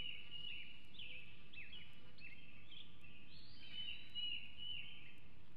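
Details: Young bald eagle at Hanover, 2021, guarding food in the nest days before fledging: clusters of high, descending squeaky chirps followed by a longer rising squeal, over a steady low outdoor rumble.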